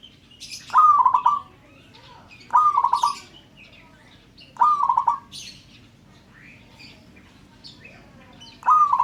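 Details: Local zebra dove calls meant to make other birds call too: four stuttering coo phrases, each rising to a high first note then rippling down in quick pulses, spaced about two seconds apart, with soft high chirps in between.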